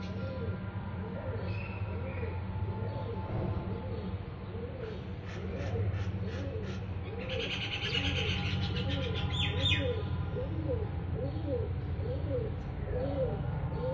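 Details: Bird calling with a steady run of short, arched, mid-pitched notes, about two per second, over a low constant hum; a burst of brighter higher chirps and clicks joins midway.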